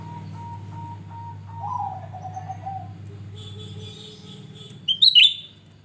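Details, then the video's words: Grey-bellied bulbul singing actively, played as a lure: a long, low, wavering whistle, then a steady higher tone, ending in a loud, sharp, twisting high whistle over a humming background. "Cucak Rante gacor Buka Paruh Pancingan"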